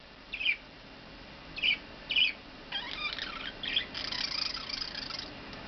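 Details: A male pet budgerigar (Melopsittacus undulatus), once quiet for weeks after arriving, sings in the morning on his perch by a window: a few sharp chirps, then a fast, scratchy, chattering warble.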